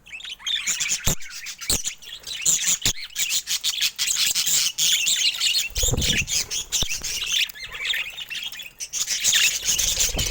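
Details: Colourful pet budgerigars chatter steadily, with high scratchy warbles and chirps mixed with sharp clicks, knocks and a low thump.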